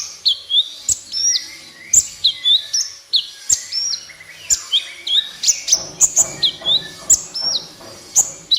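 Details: Van Hasselt's sunbird singing gacor as a lure for silent captive birds: fast, high twittering with downslurred and upslurred whistles packed densely, intensifying toward the end.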